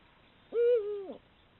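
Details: A female eagle-owl in the mating season gives one strong hoot, caught by a camera trap at dusk; the note holds level, sags a little and ends with a short upward flick, the surroundings otherwise silent.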